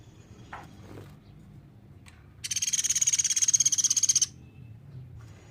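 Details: Sunda pygmy woodpecker, used as a tutor recording for songbirds, gives one rapid high-pitched rattle of closely packed notes for about two seconds, preceded by a couple of faint short sounds against a quiet background.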